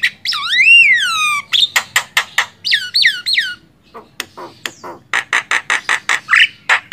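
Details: Javan myna (jalak kebo) song used as a master recording for training songbirds: loud rising-falling whistled arcs, then rapid harsh squawks and clicks in a varied, jerky sequence.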